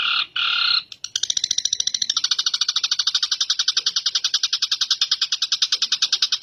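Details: Long-tailed shrike (cendet) singing an imitation of brown shrike (tengkek): harsh buzzy rasping bursts, then a long fast chattering series of rough notes repeated about three times per second.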